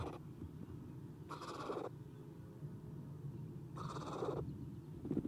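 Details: Eastern screech owl owlets, three in a nest box watched by camera on the morning of 30 April 2016 as an adult leaves, giving two harsh, breathy hissing bursts about half a second long, separated by several seconds of low rumbling background.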